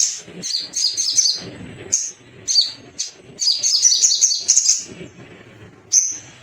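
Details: Little spiderhunter male, a lure for rivals to sing: clustered bursts of high, sharp chirps and rattling trills, with a faint low background murmur.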